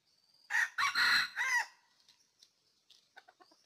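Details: Crowing red junglefowl, an early-season trapping decoy from Ninh Thuận, Vietnam, recorded in 2019: a loud, hoarse crow of four choppy notes lasting about a second, then faint scattered clicks and chirps in a quiet background.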